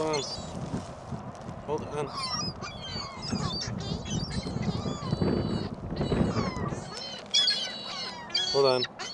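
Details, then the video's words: Many gulls call at a shopping mall on Christmas Day 2014 in fierce wind, their high, thin squeals and yelps piling up in ragged bursts over heavy rumbling wind noise. "Mall Gulls!"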